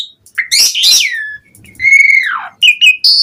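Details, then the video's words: Asian pied starling song played to make other starlings respond: rich slurred whistles, a long note falling steeply, then short bright whistles. "Suara Jalak Suren Gacor Mompa Buat Pancingan Burung Jalak Auto NYAUT Cepat Gacor Full Isian"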